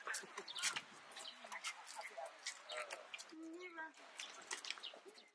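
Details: Eurasian tree sparrows (Passer montanus saturatus) at Shirakawago, Japan, in April 2014 give a busy stream of short, sharp, overlapping chirps while a person talks in the background.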